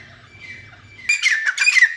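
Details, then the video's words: Teetar, the grey francolin: a faint drawn-out tone and low hum at first, then loud, harsh repeated notes burst in halfway through and continue to the end. "Teetar Making Beautiful Sounds | Teetar call | Teetar Voice | Gray francolin Voice"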